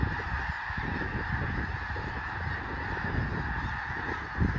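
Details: Snow geese massed in a large flock on Fir Island, Washington, settling at nightfall, their countless honks merging into a steady, even roar of calls that hardly varies, under a background of low wind rumble.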